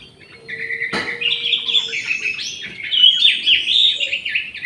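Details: Orange-headed thrush kept in an aviary delivers a loud, continuous run of rich whistled notes and quick warbling trills, preceded by a sharp click and a faint low hum.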